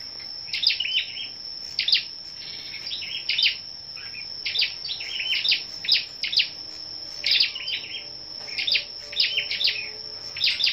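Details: Scarlet-backed flowerpeckers gathered together for competitive singing on a morning of 10 May: bursts of sharp, high, clipped chirps and short buzzy trills in clusters every second or so, over a steady thin high-pitched whine that runs throughout.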